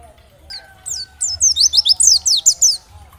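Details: Dakbal-type oriental white-eye song, used to prompt other white-eyes to answer and sing: a fast burst of very high, sharply slurred chirps, roughly ten notes in quick succession, with a faint steady tone underneath.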